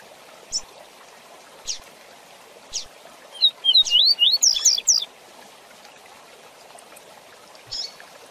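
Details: Fast 'Tui Tui Zel Zel' song of the double-collared seedeater for teaching young birds: soft hissing water-like bursts, then a rapid run of sharp upslurred whistles that grows higher and more crowded over about one and a half seconds.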